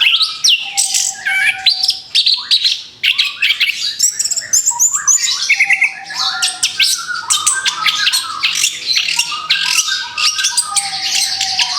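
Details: Orange-headed thrush fresh from moulting, in a recording meant to bring back its song: a long, nearly continuous torrent of varied chirps, rapid trills and whistled slurs, with a recurring steady low whistle.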